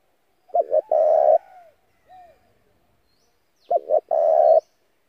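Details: Spotted dove decoy calling to draw in other doves, used for daily voice training: a quick double note leading into a long, even coo, a faint short coo, then the same phrase repeated. Quiet background.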